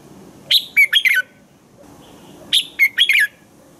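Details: Morning song of a red-whiskered bulbul, played to coach other bulbuls into singing: two matching phrases about two seconds apart, each a quick run of four or five sharp, slurred whistled notes.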